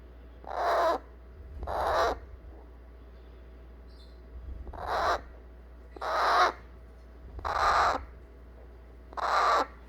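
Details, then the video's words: Hand-fed eclectus parrot chick begging to be held after eating weaning food: six harsh, raspy squawks, each about half a second long and spaced one to two seconds apart, with a low steady hum beneath. "안아달라고 보채는 뉴기니아앵무새 애기 소리"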